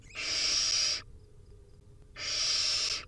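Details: Hungry wild barn owl nestlings at feeding time give two long, rasping hissed screeches, each about a second, separated by a quiet gap.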